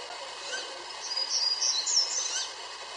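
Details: A young Great Gray Owl owlet, not yet fledged, about June 10 in the Okanogan Highlands, north-central Washington, gives thin, high, hissing begging screeches rising and falling over about two seconds, against a steady background hiss.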